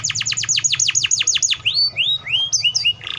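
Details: Canary delivering a rapid tour of about eleven falling whistled sweeps in one and a half seconds, followed by a series of softer rising slurred whistles and a brief buzzy note at the close.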